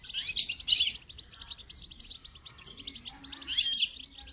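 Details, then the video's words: Goldfinch in song training: loud twittering bursts at the start, a middle stretch of quick chips and trills, then a bright, buzzy flourish. "Motivational rewards for training goldfinch to song"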